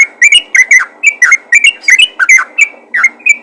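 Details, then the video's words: Yellow-vented bulbul calling others of its kind: paired and grouped whistled chirps with upward and downward slurs, slightly uneven spacing, in a bright chattering pattern. "panggilan burung trucukan ropel gacor memanggil trucukan lain"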